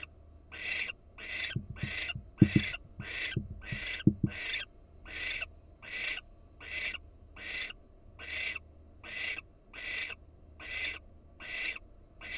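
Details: Raspy, breathy hisses from wild barn owls in a Florida nest box, repeated at an even rhythm about every 0.7 seconds, with a cluster of low knocks early on while the female watches intently.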